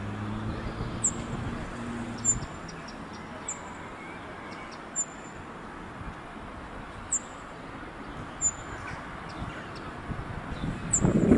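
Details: A cirl bunting at Saumur Castle, France, on a somewhat windy day gives very high, thin, sharp 'sip' calls, one every second or two, over a low wind rumble that swells near the end.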